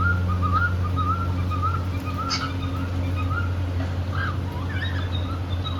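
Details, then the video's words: Happy pet cockatiel singing while playing: a run of short wavy whistled notes repeated roughly twice a second, then a few brighter higher chirps, over a steady low electrical hum. "Happy cockateil bird singing and playing"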